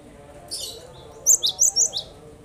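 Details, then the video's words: Cinereous tit (glatik batu) song used as a lure to prompt reluctant birds to start singing: a soft high rustle, then four sharp, very high chirped notes in quick succession over a faint low murmur of voices. "Burung yang malas bunyi dengarkan ini insyaallah langsung ikut bunyi"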